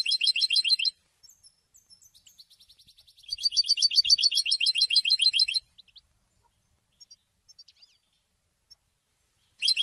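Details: European goldfinch singing harsh, buzzy rattling trills in two long bursts, with softer faint notes between and another burst starting at the end.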